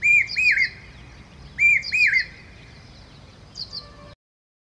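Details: A common hawk-cuckoo (brainfever bird) in India gives shrill, arched whistled notes in quick groups of two or three, repeated about every second and a half, with a faint distant echo.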